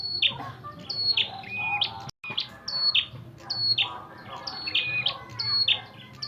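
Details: Prinia with a red head, heard fighting: sharp high chirps and brief whistled notes repeated in irregular bursts, with a short silent break partway through and faint low background rumble.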